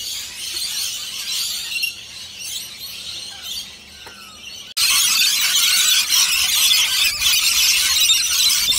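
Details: A big flock of rainbow lorikeets at a nectar feed: softer shrill chattering at first, then a sudden jump to a loud, unbroken wall of screeches and squeals.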